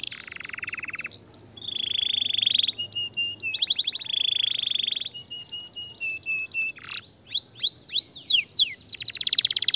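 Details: A starblue canary sings a fast, varied run of rolling trills, long buzzy rattles and sweeping whistled notes, all high-pitched and continuous.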